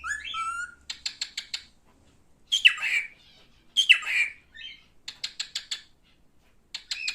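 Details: Male cockatiel calling indoors: a warbled whistle, then quick runs of clipped chirps alternating with harsh, falling squawks, with short silent gaps between bursts.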